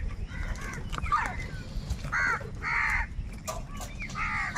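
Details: Many crows crowing and crying while squabbling for food; hoarse caws come one after another, a few short and clipped, others longer, against low background noise.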